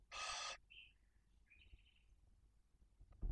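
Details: Barn owl at the nest in Cabañeros National Park during prey feeding, with two chicks one and four days old. One loud, harsh, broadband hiss lasting half a second, then a few faint high thin chirps and quiet background.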